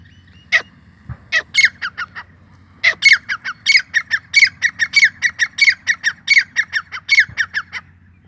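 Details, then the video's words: Grey francolin giving loud, harsh, grating notes in quick repeated phrases, about three a second, building into a steady ringing chant over a faint low hum; a caged bird. "gray francolin calling"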